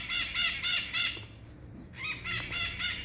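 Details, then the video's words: Maritaca parakeets on a rainy morning at 07:00 on 8 August 2022 give loud, harsh, raspy squawks. The squawks come in quick bursts of three or four a second, with one short pause midway. "Maritacas na manhã chuvosa"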